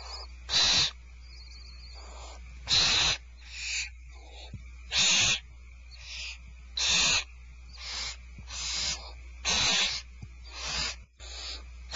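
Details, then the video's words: Starr Ranch barn owls, dinner served 2/1/12: brief loud rasping hisses mixed with fainter ones from more than one bird, irregularly spaced, plus a steady low hum. "Starr Ranch Barn Owls Dinner is served"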